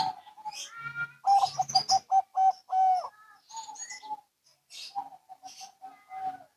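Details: Zebra doves, local and Bangkok types, trading calls; a series of punchy low coos with a sustained final note, followed after a pause by a softer, quicker stuttering coo sequence amid light rustles.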